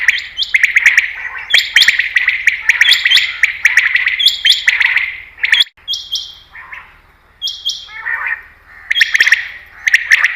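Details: Common quail call used in hunting. Long run of buzzy, clicking phrases, then a quieter stretch with separate high flat whistles before the buzzy calling resumes.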